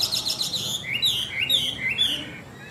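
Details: Chinese hwamei, a tame caged bird, delivering a short loud burst of bright whistles, starting with fast high chatter and then sliding into rising and falling slurred notes.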